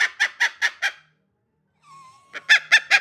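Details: Pet cockatiels, described as angry, give five quick harsh rasping squawks, a short pause with a thin level whistle, then another burst of four grating notes.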